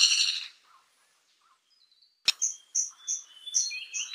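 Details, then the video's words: Fire-tufted barbet giving a burst of high, buzzy notes, a pause, then a sharp click and a series of quick, high chirps and rising whistles. "SUARA BURUNG TAKUR API"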